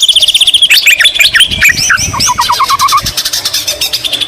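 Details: White-rumped shama song filled with imitations of the greater green leafbird, in a loud, dense, fast flow of varied chirps and whistles, with a quick run of about eight descending notes near the middle and sharp buzzy trills.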